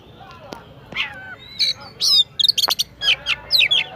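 Oriental magpie-robin singing a varied run of high, sweet whistles, chirps and buzzy trills with rising and falling slurs, in quick uneven bursts.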